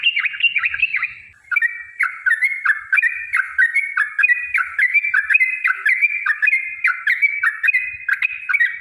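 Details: Yellow-vented bulbul giving a long, rapid song used to provoke other bulbuls into singing: a continuous run of loud bubbly, chattering whistled notes with quick rising and falling slurs, barely pausing for nine seconds.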